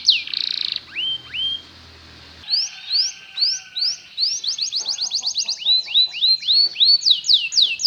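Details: Belgian canary singing as a lesson for other canaries: a few curling whistles over a rough noisy start, then clean, accelerating, repeated rising slurs and rolling phrases.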